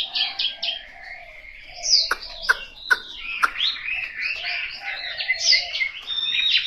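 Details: Caged Chinese hwamei kept at home in Hanoi, singing a rich, varied song of loud whistled phrases, rising and falling slurs and sharp chips, with some quieter lower notes between phrases.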